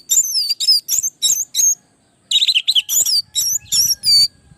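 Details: Orange-headed thrush song played to train other birds: bright, high whistled notes in two bursts, the first of five spaced notes, the second a dense tumbling run of varied whistles and chirps.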